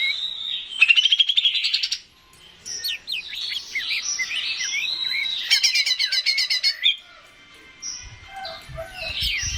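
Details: Greater green leafbird (cucak ijo) singing as stimulation for other birds: a rising trill, varied slurred whistles and chatter, another rapid burst of repeated notes, then a pause and softer notes with low thumps.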